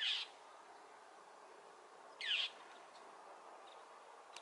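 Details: Mockingbird in Newbury Park, annoyed by a Cooper's hawk sitting on a power pole along Potrero Road, repeatedly diving at it. A brief rasping note opens, then another follows after two seconds, with a soft background hum.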